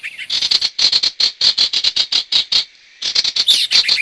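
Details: Trapping lure of sirtu, brisk steady string of short sharp chirps, about four per second, a brief pause, then a scratchier twittering burst.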